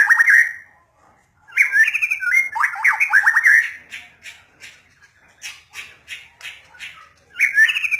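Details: White-rumped shama singing: rich whistled phrases around mid-high pitch broken by rapid descending trills and chattering bursts, with short pauses between phrase groups.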